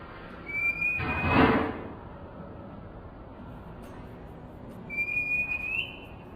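An Indian robin gives two clear, thin whistled phrases, the second rising slightly at the end. They are separated by a brief thump of background noise.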